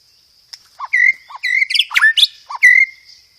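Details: White-rumped shama song for luring or tutoring other shamas, filled with imitated fighting-sparrow notes: short low chips, then level whistles and a dense cluster of sharp rising notes.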